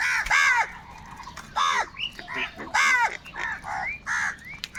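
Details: Crows in a large flock, described as fighting for food, give harsh arched caws about once a second, loud calls alternating with softer overlapping ones from birds farther away.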